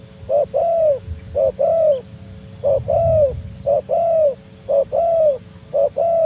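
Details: Spotted dove calling to a rival, used for luring birds: steady series of two-part coos, a brief clipped note then a longer drawn-out falling coo, repeated about once a second over faint low noise.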